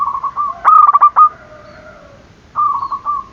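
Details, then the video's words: Zebra dove cooing to provoke rivals into calling: a stuttering burst of quick mellow notes around a steady tone, ending in a drawn-out coo. A second short rattled phrase follows after a pause. "Perkutut gacor dor, memancing emosi lawan bunyi"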